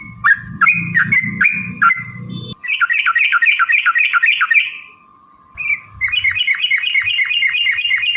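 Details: Yellow-vented bulbul in a long, rapid fighting-style song used to get other birds calling: dense chattering whistled phrases of around four notes a second, a pause, then more rapid notes over a steady hum.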